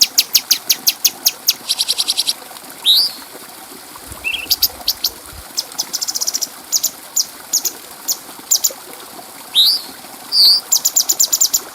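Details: Clear-voiced bulbul on a training recording for other birds, delivering quick runs of high chips and rattling trills broken by upslurred whistles and one looping note, with brief pauses between phrases.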